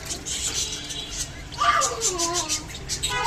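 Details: Japanese budgerigar mating, quiet clicking chatter leading into a clear descending whistled slur and a few wavering squeaks.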